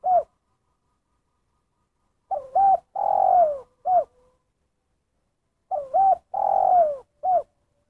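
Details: Spotted dove giving its 'kuk satu' call style: two phrases about four seconds apart, each a short hoot, a quick double coo, a long drawn coo sliding downward, then a clipped final note. Quiet background.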